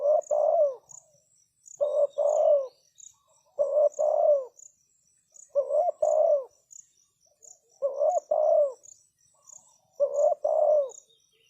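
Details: Spotted dove cooing as a decoy meant to lure wild doves. Six repeated two-part coo phrases, roughly every two seconds, each a quick note then a longer hoarse coo, with steady insect shrilling overhead.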